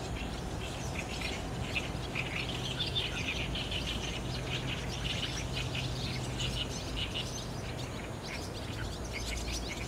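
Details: A crowd of barn swallows arriving at a roost on a cloudy 30 June 2019, captured on a DSLR; many overlapping sharp twittering notes fill the air continuously over constant low background noise.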